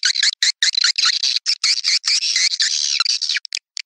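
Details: Recorded swiftlet calls used as a lure for swiftlet houses: tightly packed, buzzy, chattering chirps with short gaps, merging into a continuous rasping twitter midway before a few isolated clicks.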